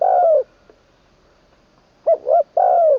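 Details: Spotted dove used as a decoy, heard in its third training session, with a song ending in a 'kuk' and a full middle voice: a long falling coo, silence, then a full phrase of two short coos and a long one.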